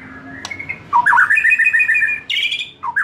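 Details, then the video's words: Song to stimulate a young forest-caught white-rumped shama shedding its speckled juvenile feathers: after a soft click, loud looping whistles lead into a fast chattering series, then a high buzzy burst and a dipping slurred note. "Memancing murai batu MUDA HUTAN dan LEPAS TROTOL agar GACOR NGEPLONG"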